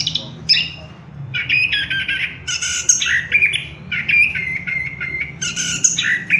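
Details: Orange-headed thrush song used as a lure to get kept birds singing: a loud, rich run of varied phrases mixing clear whistles with harsh, squawky notes in quick succession, with almost no pause.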